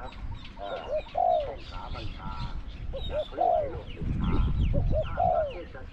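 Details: Spotted dove decoy calling during trapping in Thailand, matched with a wild bird: three coo phrases of short rising notes and a longer falling coo, roughly every two seconds, over a man's amplified Thai speech.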